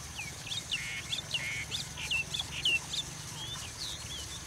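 Richard's pipit giving a busy string of short, sharp chirps and quick slurred high notes, almost without pause, over a faint low rumble.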